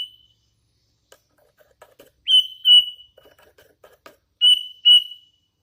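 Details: Actively singing hand-fed young sooty-headed bulbul: paired clear whistled notes given twice, separated by soft clicks and faint ticking sounds.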